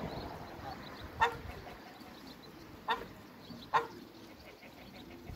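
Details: Mature pair of African geese in a backyard, giving three short, harsh honks spaced irregularly over a few seconds against steady background noise.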